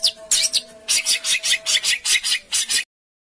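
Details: Harsh 'besetan' songbird material for home and contest birds: rough, grating notes repeated about twice a second, loud and noisy, over a faint low tone.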